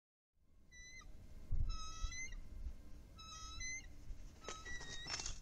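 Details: Wild bald eagle on its nest incubating eggs, Upper Mississippi River Refuge, February 2018, one of a trio of eagles: thin, clear, harmonic piping calls in short bursts, plus heavy low wind rumble and a brief rustling crackle.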